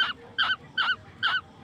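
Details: Baby yellow birds and koels fed grasshoppers at night at home give four sharp, wavering squeaky notes, evenly spaced about every 0.4 seconds, in a quiet room.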